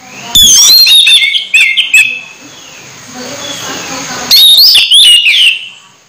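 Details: Orange-headed thrush about to moult yet vocal, pouring out two dense bursts of fast, varied whistles and chattering high notes with a quieter stretch between them.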